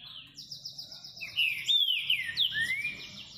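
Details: Green-winged saltator singing: a clear run of loud whistled phrases, sliding and rising, with a steady buzzy trill of another bird high above and low background hum.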